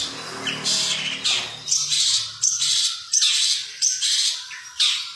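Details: Long-tailed shrike, a kept contest bird, 2020, whose song is used for tutoring other songbirds; harsh rasping bursts repeat roughly every second, with a low hum in the background at the start.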